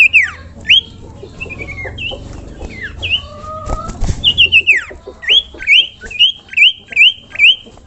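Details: Common iora giving a lure call meant to make other ioras sing along. Quick whistled notes and a falling slur open, then a jumble of softer notes, then a fast series of repeated rising whistles.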